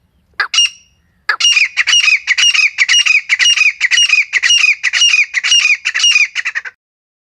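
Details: Female grey francolin lure call for hunters: after two short opening notes, a dense, rapid, continuous string of harsh, chattering squawks runs for about five seconds, then stops abruptly.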